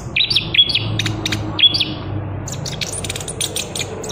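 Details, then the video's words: Chestnut-capped thrush's rolling song: paired whistled notes open the phrase, followed by a rapid high-pitched chatter of clipped notes over a low background hum. "Anis Kembang Lepas Trotol Gacor Ngerol"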